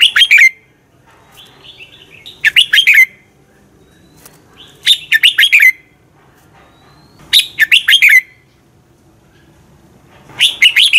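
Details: Red-whiskered bulbul fighting song meant to stir trained birds into singing; five repeated phrases of rapid, clear, slurred whistles, each lasting under a second, spaced roughly every two and a half seconds.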